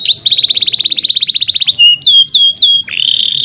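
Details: Canary song opening with a rapid even trill of about twenty notes, then several loud whistled notes falling in pitch and a final sustained tone.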